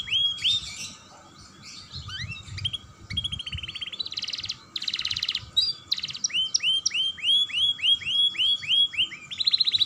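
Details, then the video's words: Young canary singing constantly to stimulate other canaries: mixed chips and buzzy trills at first, then a run of clear upslurred whistles repeated evenly, ending in a fast tight trill. "Pancingan Kenari Muda Gacor Dor || Pancingan Kenari Paud"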